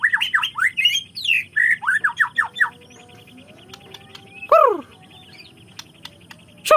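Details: White-rumped shama, song intended to make other shamas sing their learned repertoire: a fast series of sharp downslurred whistles for the first few seconds, then quieter, with two loud swooping calls and faint high notes.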